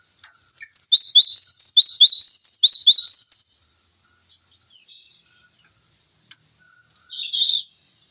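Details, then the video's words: Cinereous tit song used as training material for magpie robins, green leafbirds and fighting songbirds: a three-second run of fast, piercing whistled couplets, then quiet with a single softer high call near the end. "Masteran Pancingan Gelatik Batu Gacor Full Isian Tembakan Tajam Durasi Panjang"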